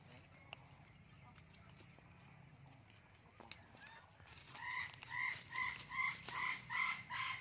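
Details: Talking blue-and-gold macaw playing in a garden; after quiet opening seconds, a series of loud nasal, harmonic calls repeats roughly every half second, about six in a row, over low background hum.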